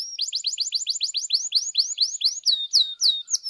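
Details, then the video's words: Singing canary, played to fire up other canaries, repeating high arched chirps rapidly, then slower, longer downward-slurred whistles toward the end. "PANCINGAN KENARI GACOR DOR, PUTAR SEBENTAR AMPUH NAIKKAN EMOSI KENARI LANGSUNG GACOR"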